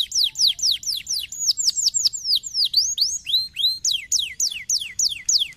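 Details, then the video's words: Canary song meant to stimulate a lazy canary to sing: rapid trills of bright whistled notes sweeping downward, shifting into rising and falling slurred phrases, about three to four notes per second, loud and clean. "para estimular o chilrear de um canário preguiçoso"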